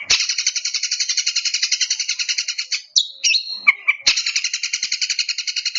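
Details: A long-tailed shrike delivers a long rapid buzzy rattle, a brief run of squeaky chips and slurred notes, then another steady harsh trill, sung to provoke.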